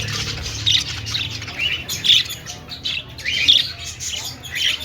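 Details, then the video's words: Parakeet chirping: a budgerigar gives scratchy warbles and sharp high chirps in irregular bursts, roughly every second, over faint low background hum. "Budgie singing and dancing || parakeet chirping sounds"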